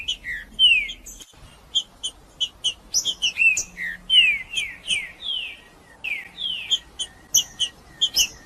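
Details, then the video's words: Male green-winged saltator in 'macheando' singing, used to warm up other saltators: continuous chains of falling whistled slurs and crisp ticks, loud and rapid throughout. "Trinca-ferro Macheando com Trinca ferro cantando Para Esquentar Trinca ferro"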